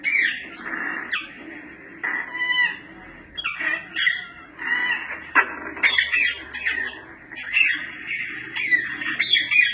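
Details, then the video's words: Grey parrot vocalising in repeated harsh squawks and short whistled notes, bursts coming every second or so, louder toward the end; used to attract an escaped bird's attention. "LORO GRIS , YACO. SONIDOS PARA LLAMAR , IMITAR, RELAJAR."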